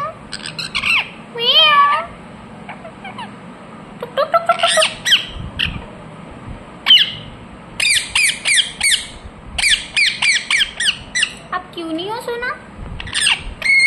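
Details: Ringneck parrot kept as a pet calling in shrill, ragged squawks, some single, others in rapid clusters, with a few bending whistled notes between bursts over a faint background hum.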